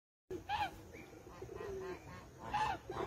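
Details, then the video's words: Geese on a lagoon give loud, nasal, slightly rising honks: two strong ones about two seconds apart with softer honks between them, over a faint background hiss. "Gansos na lagoa - Som de animais"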